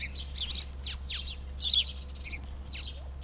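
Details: Arizona backyard birds giving bright, high chirps and quick downward-slurred tweets in loose bursts, with a constant low hum underneath.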